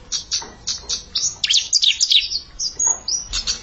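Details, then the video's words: Bar-winged prinia, a young bird challenging a settled rival, gives rapid high, thin chips in a jerky series that speed into a dense twittering burst, then resumes spaced sharp notes. "Ciblek Bahan Nantangin Ciblek Mapan"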